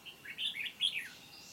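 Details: Red-whiskered bulbul acting as a trap decoy, singing in competition to attract wild birds, recorded 29 July 2020; one rich, rolling phrase of liquid notes that rises then drops away at the end.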